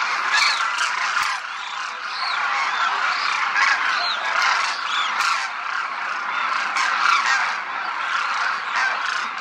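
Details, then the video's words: Large group of demoiselle cranes crooning while flying and feeding in formation over a Rajasthan village, India: a dense, continuous chorus of many overlapping harsh, rolling croaks with no clear gaps, steady throughout. "Demoiselle Cranes croon, fly and feed in formation"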